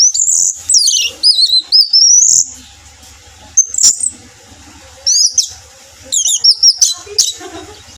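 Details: Orange-headed thrush singing, used as a lure recording: loud high whistled and slurred phrases in bursts separated by short pauses, with a steady low mechanical hum behind.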